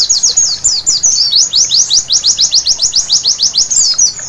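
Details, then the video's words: At night, a white-eye gives high, sharp chirping song, starting with mixed rising and falling twitters and settling into a steady fast run of similar down-slurred notes. "Terapi Pleci Malam Hari Bikin Gacor seketika!!!"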